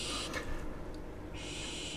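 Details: A barn owl on a nest camera in Israel, late in the breeding season, gives harsh, hissing screeches: a short burst, a pause of about a second, then a longer rasping hiss, over a low background rumble.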